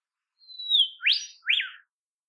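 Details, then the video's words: An olive whistler (Pachycephala olivacea), a shy forest songbird of southeastern Australia, calls in temperate forest: a long, clear high whistle sliding down, then two quick upswept whistled notes, all within about a second and a half. "Olive Whistler Call"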